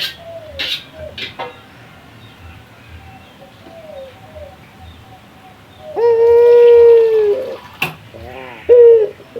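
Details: Male local puter dove calling a rival, starting with faint distant coos and clicks, then one loud close drawn-out low coo that fades slightly, followed by a brief rolling burble and another short coo.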